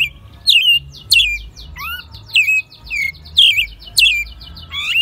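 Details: American robin held since a nestling, singing in Mexico City during spring 2020; bursts of slurred whistled notes with harsh high squeaky edges, separated by brief pauses, low hum in the background.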